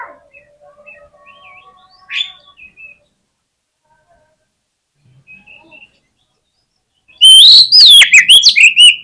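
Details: Oriental magpie-robin in full fighter mode, singing to stir rival magpie-robins into persistent response. Near-silence with faint soft notes, then a loud burst of sharp, rapidly modulated whistled phrases in the final two seconds.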